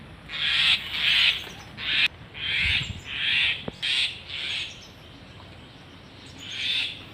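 A common myna gives a run of harsh, grating squawks, about two per second, then falls quiet before one last rasping note.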